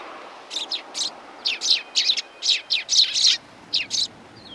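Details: Sparrows greeting a visitor at a Tenmangu shrine on 18 September 2020; a busy, almost continuous chorus of sharp, high chirps, several birds overlapping in rapid irregular bursts, over a quiet background.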